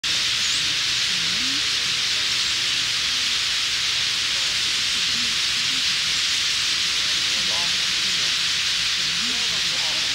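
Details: A vast roosting flock of migrating Bramblings (Fringilla montifringilla), part of about 3,000,000 birds gathered for the night in forest at Hasel/Schopfheim, Germany, near Switzerland, makes a steady, rushing hiss of countless overlapping calls, like steam or surf, with low murmurs underneath.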